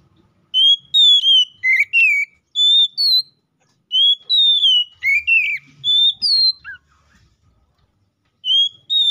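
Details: Oriental magpie-robin song calling a rival, used to make other magpie-robins sing: slower, spaced whistled notes, some level, some sliding down, in short groups, with soft low knocks in the background.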